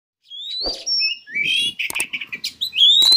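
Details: Captive Oriental magpie-robin song used as a lure to raise breeding drive: clear rising whistles near the start and end, with buzzy chattering notes and sharp clicks in between.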